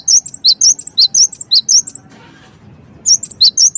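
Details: Gelatik wingko (cinereous tit) singing as a provoking lure: loud, clear whistled phrases repeated in quick succession for two seconds, each with a sharp dip and bright slurs, a short gap, then the song restarts.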